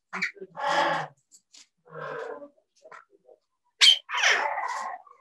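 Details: Two parrots at a bird safehouse, said to use English words such as "Are you ok?" and "Are you hungry?" when vocalizing to each other; a rough, speech-like phrase and a lower murmur, then a sharp high squawk and a raspy drawn-out call.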